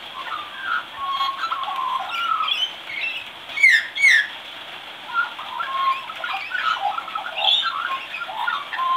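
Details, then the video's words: Young magpie practising its singing: a soft, rambling run of varied warbles, chirps and short whistles, with two louder sliding notes midway, over a steady background hiss. "Baby Magpie Practicing Singing"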